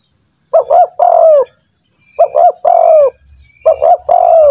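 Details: Spotted dove calling as a training lure to prompt other doves to sing: three clear repeats of two quick notes and a long descending coo, spaced about a second and a half apart.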